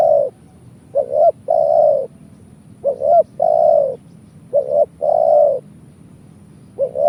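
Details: Spotted dove calling, used as a lure for trapping doves: low hollow coos in phrases of one or two short notes then a longer drawn coo, repeated about every two seconds over a faint low hum.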